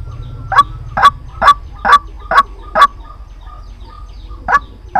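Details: Lure call of a White-breasted waterhen for trapping: six loud rasping notes at an even pace, then a brief quieter gap before two more croaks resume near the end.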